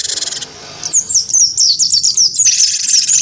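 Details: Caged cinereous tit of the wingko type, sparring in song with a white-eye: a harsh buzz, then a quick string of bright, falling whistled notes ending in another grating burst.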